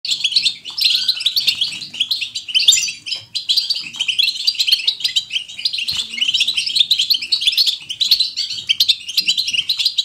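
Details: European goldfinch singing a natural, lively twittering song in the bitbita style: dense, high, tinkling chirps and trills pouring out almost without pause, with brief dips near three and six seconds.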